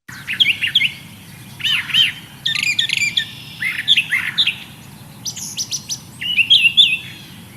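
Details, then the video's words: Brown Thrasher, an early spring migrant in Kentucky, sings a varied run of rich, chirpy and buzzy phrases, each note given twice in quick succession, over a faint low background hum. "so let's listen one more time and when we're listening to the brown thrasher we're listening for paired repeated notes"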